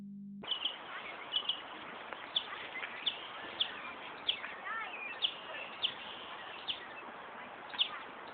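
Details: Northern mockingbird mimicking a car alarm at Buckland Park, Brighton, New York, near an ambulance station; short bright high notes repeated at uneven intervals over a steady hiss.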